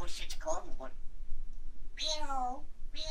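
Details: A grey parrot says "hello" and "good morning", two short word-like phrases in a clear, voice-like tone, with a pause of about a second between them.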